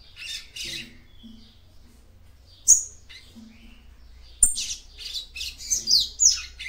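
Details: High twittering phrases from a female yellow-bellied seedeater, sung to excite a male; short chirpy bursts open the recording, then a long pause, then a rapid run of sharp, high notes and quick trills.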